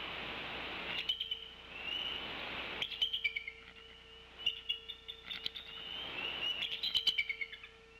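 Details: Male bald eagle at the Decorah nest at night (22:42) gives three short bursts of high, thin, chittering notes while his eaglets sleep on the nest and an owl hoots nearby, over an electrical hum and hiss.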